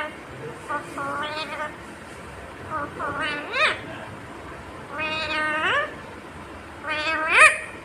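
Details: Mummy papa spoken by a talking parrot: four harmonic, rising, nasal phrases spaced about two seconds apart over light background hiss.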